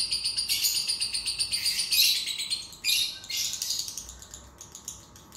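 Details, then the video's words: Lovebird chattering as a lure to make a lazy lovebird sing: rapid high pulsed trills with two harsh louder phrases, tapering into scattered soft ticks. "PANCINGAN LOVEBIRD MALAS NGUNCI"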